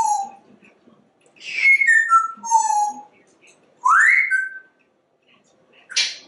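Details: Talkative male African Grey Parrot kept indoors as a pet, vocalizing non-stop; pure whistled notes, a low steady tone, then stepped descending glides and a sharp rising whistle, separated by short pauses, in a quiet room.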